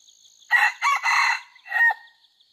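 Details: Second-generation (F2) red junglefowl under training, recorded 5/9/2020: a loud crow of a short opening note, two long harsh syllables and a fading drawn-out final note, over a steady high insect buzz.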